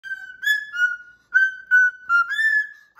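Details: Pet cockatoo whistling a song indoors: a string of clear, mid-pitched whistled notes, some held and some sliding, with short gaps, in a tune-like phrase.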